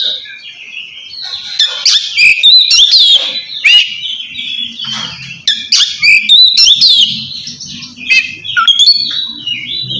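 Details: Oriental magpie-robin singing loud ngeplong style, calling a rival to prompt reluctant birds to sing; rapid strings of whistles, trills and harsh squawky notes in bursts, with a faint low hum beneath.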